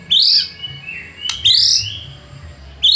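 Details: White-rumped shama lure song meant to provoke rival birds: loud, clear downslurred whistles repeated about every 1.4 seconds, with softer trailing notes between them.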